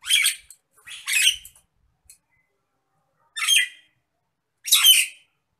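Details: Agitated Nias hill myna giving four harsh, raspy squawking bursts with broad noisy texture, spaced about one to two seconds apart over a quiet background.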